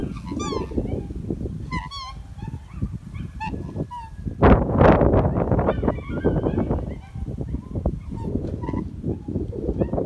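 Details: Pair of Black Trumpeter Swans, the male now comfortable with the person filming, calling toward New Guinea Singing Dogs: repeated short nasal honks with a loud burst midway, over heavy low rumbling noise.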